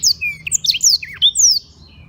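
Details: Black-throated canary, Gianyar, Bali, sings high and low: a sequence of clear slurred whistles dropping and rising, including a dipping, wavering note, before fading into a faint hum.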